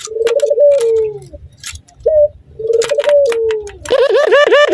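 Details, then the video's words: Male Barbary dove in breeding condition, cooing on seeing a female in a laughing style: two long, low, slightly falling coos with a trembling start. A rapid, throaty, bubbling laugh of pulsed notes follows at the end. "Suara Burung Puter Jantan Gacor Tertawa Kuntilanak Birahi Nguku Melihat Betina"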